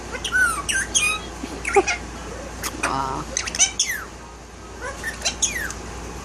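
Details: One-year-old violet male Indian ringneck parakeet, tail-less and kept as a pet, talking: a rapid mix of sharp squawks, chirps and rising whistled notes with speech-like banded sounds near the middle. A person coaxes in the background.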